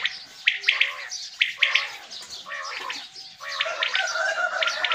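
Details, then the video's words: Morning quail calls during hunting season: quick triple-pulsed notes in two clear bursts early on, followed by softer overlapping chirps and warbling bird sounds. "Quails calling for morning hunt seasson | Batair ki awaaz subha k leay | بٹیروں کی آواز صبح کے لیے"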